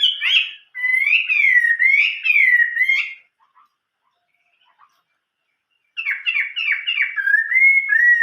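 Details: Chinese hwamei singing in the old-forest voice style (giọng rừng già): loud, clear slurred whistled phrases in quick succession, then a three-second gap, then rolling notes ending in long steady whistles. The background is quiet.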